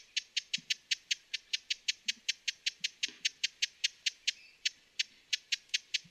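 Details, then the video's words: Broad-billed hummingbird calls: a quick train of hard, ticking chips, about four per second, interrupted by a short break before resuming; faint low rustles underneath. "Broad-billed Hummingbird Bird Sounds"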